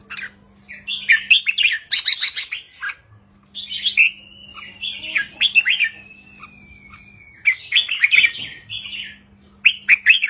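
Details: Lively red-whiskered bulbul singing counted 3-4-5 phrases to excite other birds; rapid bubbling whistle bursts alternate with quieter stretches where thin drawn-out tonal whistles sound, all over a steady low hum.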